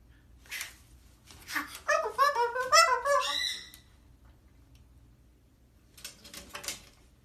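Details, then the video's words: A cockatoo goes wild, letting out a burst of harsh, ragged screeches and squawks over about two seconds, then goes quiet before a few rasping calls return. "ÇILDIRAN KAKADU PAPAĞANI"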